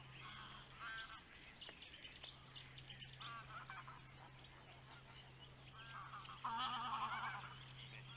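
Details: Attentive male osprey at its nest on a webcam; a loud, rough, harmonic call rises near the end, with earlier shorter bursts, set against busy chirps of other birds and a continuous low hum.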